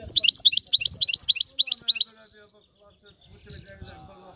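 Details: European goldfinch repeating a bright two-part tinkling note about three and a half times a second for two seconds, then falling almost silent with only faint distant notes and soft background murmur.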